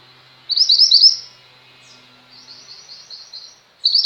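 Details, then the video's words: Female Mountain White-eye, a vocal bird recorded as tutor song for pet white-eyes. A loud, quick cluster of high twittered notes, then a fainter train of evenly spaced chips, and the start of another loud burst. "mantenan gunung betina gacor, cocok untuk masteran burung pleci anda."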